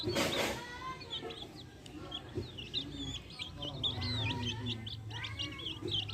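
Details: Backyard hens with chicks: opening burst of noise, then a steady stream of high chick peeps with low hen clucking underneath and low hum.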